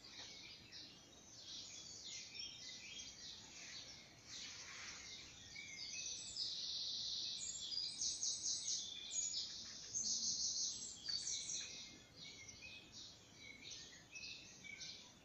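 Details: A dawn chorus of high, twittering morning bird song, with dense overlapping chirps and trills from several birds.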